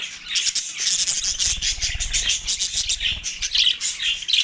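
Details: Budgerigars in Larkana, Sindh, recorded March 9, 2024, while mating-crazy: steady stream of bright, squeaky warbling and sharp chirps, with muffled low bumps in the middle.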